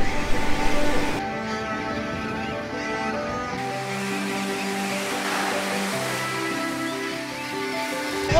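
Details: Sustained instrumental music with long held tones plays over a soft wash like surf, and no animal call is heard.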